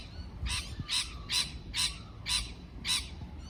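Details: Parrot giving six harsh, raspy squawks, each short and broad, repeated roughly twice a second over a low steady background hum.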